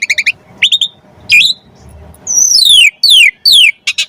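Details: Asian pied starling singing energetically, played to lure other starlings into song: quick chips, a rising whistle, then three long clear whistles sliding steeply downward, ending in a rough chatter.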